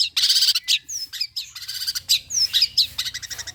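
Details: Long-tailed shrike song used as a lure to make other shrikes answer: harsh, rapid buzzy chatter bursts alternate with clear slurred whistles and short sharp chirps, a varied, fast-changing medley.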